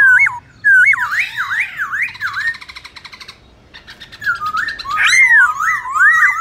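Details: Competition song of a black-throated laughingthrush, many voices, for stirring up other birds. Fast zigzag whistles, then a long buzzy rattling trill, a pause, and a return to bright sweeping whistled phrases.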